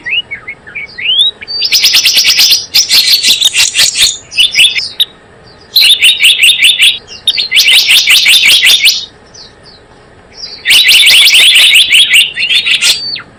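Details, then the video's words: A few upslurred notes open this Java sparrow trapping lure, followed by three long bouts of very rapid, loud chattering chirps with near-silent gaps between them. "SUARA PIKAT BURUNG GELATIK BLOONG"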